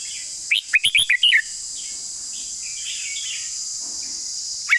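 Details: Red-whiskered bulbul giving a long song: a quick bright phrase of about six sharp, whistled, warbling notes in under a second, then faint scattered notes and one late chirp, over a steady high hiss.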